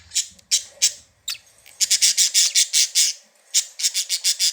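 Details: Budgies, happy and playing: harsh, raspy, scratchy chatter in short broadband bursts, a few spaced notes at first, then a fast run of about ten rasps, a pause, and another quick series near the end.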